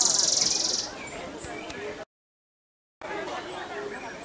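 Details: Buff-barred warbler at Long Lake in Jiuzhaigou, 3100 m up, recorded 25 June 2014, gives a shrill, fast trill lasting under a second, followed by human voices and quieter background sounds.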